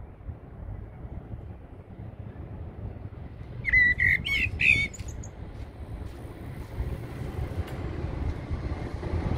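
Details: One brief blackbird phrase rings out at Heidelberg Castle, a few rounded whistled notes with a scratchy high tail, against distant traffic rumble that swells afterwards.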